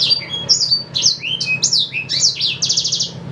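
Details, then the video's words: Black-throated Canary song, used as a tutor song for White-rumped Shamas: a fast, varied run of high whistled and slurred notes ending in a rapid buzzy trill, with a faint indoor hum beneath. "Suara Asli Blackthroat"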